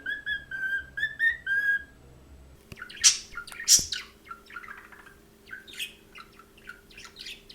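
Budgerigars chattering: a run of repeated harmonic whistled notes, then louder scratchy chirps and warbling squeaks in a busy, uneven stream, over a steady low hum.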